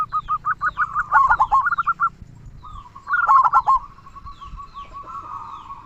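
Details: Local zebra dove with a large 'kung' voice, used to stir reluctant doves into song: quick runs of bubbling coos, a dense loud burst near three seconds, then fading, drawn-out cooing.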